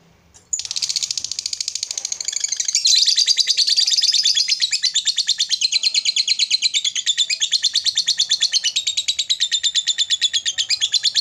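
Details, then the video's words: After brief quiet, a lovebird launches into a long ngekek, a loud, rapid, high chattering trill that keeps going for over ten seconds, meant to call and provoke an opponent. "Suara Lovebird Memanggil Lawan Mancing Emosi Lanjut Ngekek"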